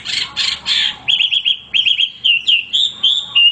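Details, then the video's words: Hwamei male in song: a few harsh rasping notes, then a clear series of short looping whistles and level whistled tones. "wambi gacor berkicau tanpa henti"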